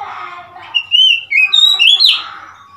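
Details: Oriental magpie-robin recorded on 3 March 2021, giving clear whistled notes that slide up and down, rising at the end, over a low murmur of background noise.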